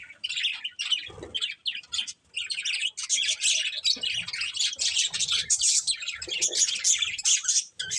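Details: Several pet budgerigars chirp in a near-continuous high, chattering warble of buzzy notes and quick squeaks that builds in density.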